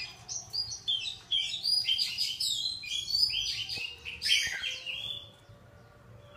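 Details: Lively high-pitched bird song of quick chirps and trilled twitters, loudest in the middle and fading toward the end, with a few faint clicks in the background.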